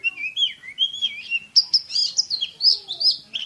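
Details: Oriental magpie-robin rattling off tight, speedy song, wavering mid-pitched whistles that jump to rapid sharp high notes repeated several times a second.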